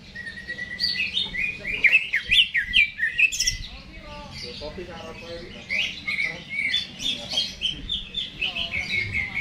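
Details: Caged greater green leafbird in lively song before being hung up. Jumbled bright chirps, swooping whistles and mimic-like chatter alternate with quieter scratchy notes and faint low background noise.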